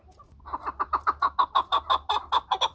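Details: Chukar partridge giving a fast, steady run of sharp clucking notes, about five per second, each note bright and mid-pitched with a ringing overtone, building in strength after a quiet start.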